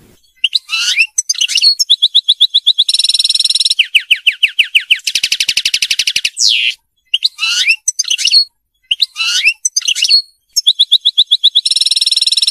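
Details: Song of the royal goldfinch, known as mqnin, a European goldfinch, for teaching captive birds to sing: tinkling twitter phrases mixed with harsh buzzy trills and rolling rattles, several short pauses, nothing else audible.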